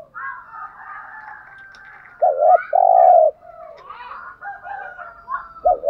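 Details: Low cooing of a spotted dove (cu gáy), played to rouse a caged male: a two-note lead-in then a long even coo, over continuous thin whistling and chirping from other birds.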